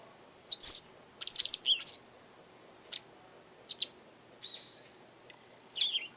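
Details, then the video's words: A loud Japanese wagtail calling by a garden pours out rapid, scratchy twittered phrases, then scattered single sharp notes, and a final buzzy falling flourish. "よく鳴くセグロセキレイ Japanese wagtail"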